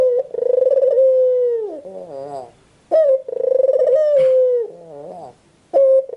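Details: White ringneck dove cooing. Long, steady, throbbing coos slowly sink in pitch. Each is followed by a softer wavering note that dips and rises, and a short clipped note. The phrase repeats roughly every three seconds with no other sounds.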